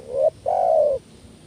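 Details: Lure call of a spotted dove meant to stir other doves into calling: one brief rising coo, then a drawn-out, smooth, level croo that fades slightly at the end, low-pitched and mellow.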